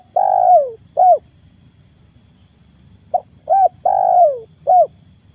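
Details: Spotted dove acting as a lure bird repeats its cooing phrase twice. Each phrase has a long drawn coo falling in pitch, flanked by short curved coos, over a steady high insect-like pulse.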